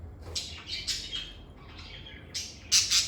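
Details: Pet lovebirds utter a few harsh, high squawks and short chirps with a quiet gap in the middle, ending in two louder, piercing calls.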